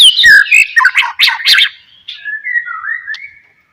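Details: White-rumped shama singing as a lure for other shamas: a burst of loud, buzzy chattering notes followed by softer, drawn-out whistles that fade.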